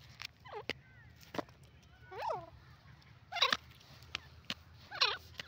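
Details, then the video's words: Grey francolin calling in the forest: four harsh, ringing phrases with stacked overtones, each bending down then up, spaced roughly every one to one and a half seconds, with sharp dry clicks between them over a low background rumble. "beautiful sound of dakhni titer pheasant awaz in the forest"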